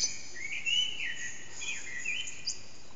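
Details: Eurasian blackbird singing in an echoing backyard in the early morning around 4:30am, recorded on an HTC Desire phone with the bird unseen; low fluted warbling phrases followed by higher thin twitters, with steady background hiss.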